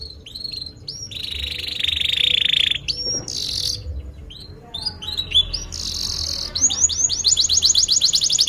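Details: Long-singing canary used as training song for young birds: a sustained buzzy trill, short bright whistles and a brief broadband crackle, then clipped chirps building into a fast, ringing high trill.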